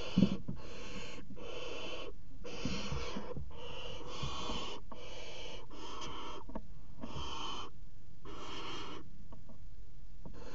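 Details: Barn owls mating on the edge of a water tower nest box, 5 February 2018; a steady run of rasping, wheezy hisses, each under a second, repeated almost without pause for ten seconds, with faint knocks inside.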